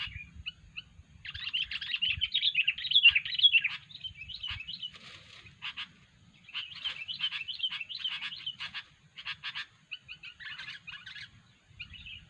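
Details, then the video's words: Sooty-headed bulbul (kutilang) giving unusual calls for bird luring: long runs of busy, scratchy chatter broken by short clipped chirps and pauses, then a few whistled notes near the end. "kutilang suara aneh"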